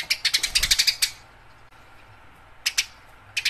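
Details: Fighting house sparrow chirps recorded for training birds: a rapid series of about ten harsh chirps, a second of quiet, then two short bursts of a few chirps.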